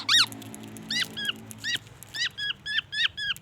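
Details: Black-naped oriole singing a repertoire that includes imitations of the white-rumped shama: a loud opening note followed by a series of short, sharply rising-and-falling whistled notes repeated at roughly three per second.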